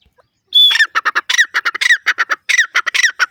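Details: Grey francolin calling loudly after a brief silence: a whistled rising note opens each harsh, clipped phrase of rapidly repeated squawky syllables, the phrases following one another almost without pause.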